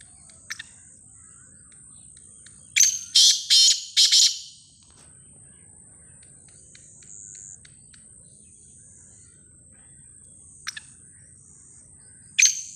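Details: Black francolin gives a quick series of harsh, grating high notes near the middle of the clip, with a steady high insect drone throughout and a few scattered clicks.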